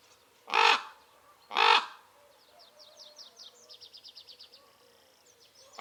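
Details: Common ravens in wild acacia woodland: two harsh caws a second apart, then a pause filled by a small bird's high, rapid twittering trill, and a third caw at the end.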